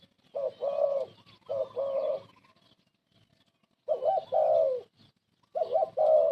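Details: Old decoy spotted dove kept for luring birds into traps, cooing in paired husky phrases, each a short note followed by a longer drawn-out coo, repeated roughly every two seconds.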